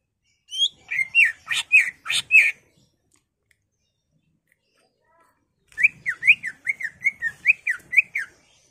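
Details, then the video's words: Caged greater green leafbird in full excited song, used to goad another caged bird into singing. Two rapid bursts of buzzy, zigzagging whistled notes, about ten notes each, separated by a three-second silence. "CUCAK IJO GACOR EMOSI BONGKAR ISIAN NGENTROK/ PANCINGAN CUCAK IJO BIAR EMOSI"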